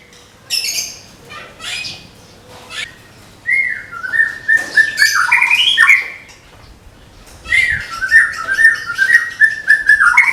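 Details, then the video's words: Caged white-rumped shama of the Medan type, prepared for song contests, opening with scattered harsh chips, then long runs of stepped whistled notes with rising and dipping slurs, pausing before another rapid whistled series. "SUARA TEMBAKAN MURAI MEDAN SIAP DIPINANG DI GANTANGAN"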